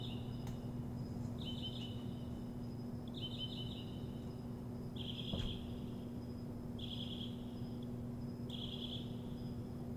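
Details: Bird singing in the morning: short buzzy trilled phrases at a high pitch, repeated about every one and a half to two seconds, six phrases in all, over a steady low hum and a faint high tone.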